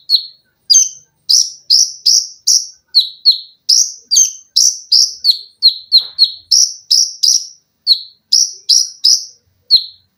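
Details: Olive-backed sunbird (konin), a singing cage bird used as a master song for other birds, delivering rapid-fire 'tembakan rapat' song: a dense run of sharp high notes, alternating short downward chips with brighter rising-falling notes, almost nonstop.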